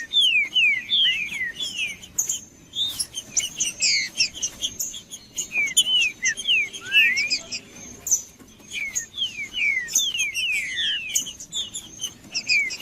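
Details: Green-winged saltator singing vigorously, 'macheando', to warm up other birds: dense phrases of clear slurred whistles, rising and falling, in repeated bursts with short gaps, plus a faint steady high whine.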